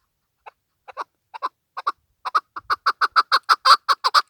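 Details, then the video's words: Chukar partridge calling: a run of short, clipped chuk notes that starts slow and sparse, then speeds up and grows louder, the notes coming nearly twice a second by the end. No other sounds stand out. "chakor birds voice awaz sound keklik sesi"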